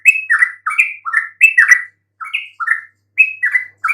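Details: Yellow-vented bulbul song to lure quiet bulbuls into answering: bursts of two to four bubbly, slurred notes separated by brief pauses, some notes sliding down and others stepping up.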